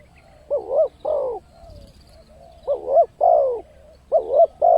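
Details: Spotted dove used as a lure to bring in wild birds: three phrases of double coos, a wavering first note and a longer falling second, spaced about a second apart, with light low noise.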